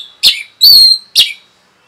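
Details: Orange-headed thrush rapid song meant to rile other birds: three loud high notes, a short burst, a longer sustained whistle, and another short burst, within under two seconds.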